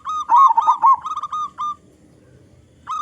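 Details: Local Indonesian zebra dove with a big voice, singing actively, used as a lure to set other zebra doves singing: a run of rolling, slightly buzzy coos on one pitch over a second and a half, then a pause and a fresh phrase.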